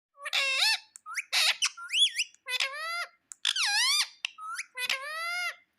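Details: Pet parrot giving a rapid series of harsh, harmonic squawks, each rising then falling in pitch, about six bursts in six seconds with short silent gaps between them.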